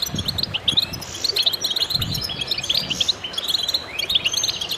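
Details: Many goldfinches in chorus, with rapid, liquid chirping and jingling phrases overlapping steadily and a few low muffled thuds underneath.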